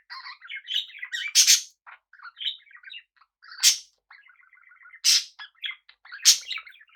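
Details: Pet budgies sharing space with cockatiels produce busy twittering warble and a fast string of clicking notes, with loud rasping screeches bursting out about every one and a half seconds.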